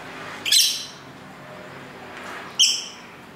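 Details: Lovebirds in a home near a main road chatter together; two shrill, buzzy squeaks about two seconds apart amid soft road noise.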